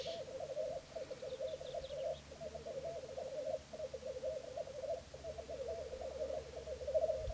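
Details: Dawn lek of three black grouse males in Florarna on 17 April 2013: low bubbling phrases about a second long repeat with short pauses, and faint higher notes sound early on.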